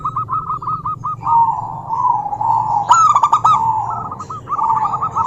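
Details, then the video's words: Local zebra dove hen calling a rival with quick stuttering coo notes that run into a smooth trill, then a loud burst of sharp clicks and more rolling trills. "Suara Burung Perkutut Lokal betina gacor memanggil lawan"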